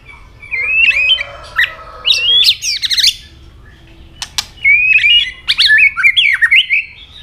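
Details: Rich, varied fighting song from a white-rumped shama: whistled notes and fast chattering trills in two long phrases, broken by sharp clicks.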